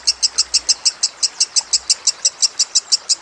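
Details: Caged lovebird singing in a master-training recording, a series of sharp, bright high chips spaced evenly, about five per second, with a faint low hum underneath.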